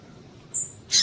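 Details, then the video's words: Female Double-collared Seedeater call meant to stimulate a male to sing: one thin, level, high whistle followed by a brief harsher, buzzier chip. "Piado de Fêmea de Coleiro Para Esquentar Coleiro"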